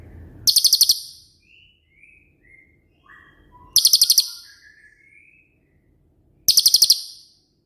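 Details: Cililin, a 'tembakan'-type songster used as a training master for other songbirds, giving three loud, very high, rattling bursts about three seconds apart, with faint short whistled notes drifting between them.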